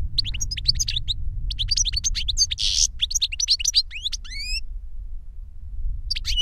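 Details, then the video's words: Caged European goldfinch song from a trained master bird or its CD-taught pupil, used in Spanish silvestrismo: rapid twittering bursts of high chirps and sweeping whistles, a harsh buzzy note, rising slurred tones, over low steady rumble. "Jilguero maestro cantando reclamo y enseñando a otro jilguero novel"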